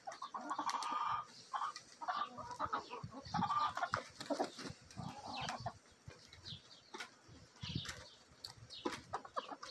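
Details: Flock of backyard hens and a mixed Bielefelder and Golden Cuckoo Marans rooster feeding eagerly. Busy overlapping clucks and murmurs with pecking and scuffling, louder at the start and again midway.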